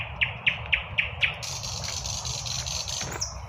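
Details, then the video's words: Spring birdsong at midday: five sharp chirps about every quarter second, then a dense high trill, over faint highway traffic rumble. "BIRDS SINGING- REJOICING IN SPPRING"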